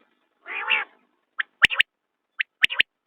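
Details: A common quail gives a low, throaty, mewing note. It follows with two bursts of three crisp, liquid whistles, each burst led by a faint single note, spaced about a second apart. No other sounds are heard.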